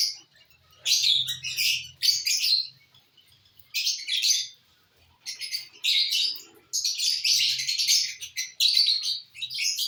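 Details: Lovebirds enjoying corn on the cob make repeated shrill, high chirping bursts of about a second, growing denser toward the end, over a faint low hum.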